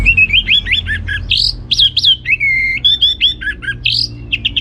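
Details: Orange-headed thrush singing loudly in the ngeplong gacor style, a rich, fast, varied stream of high whistles, upslurred and downslurred notes and brief trills delivered almost without pause.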